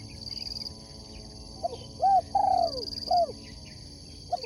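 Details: Spotted dove kept as a sport dove for cooing contests, delivering one phrase: a soft lead-in note, a short coo, a longer wavering drawn-out coo, then a final clipped coo. High buzzing insect drone throughout.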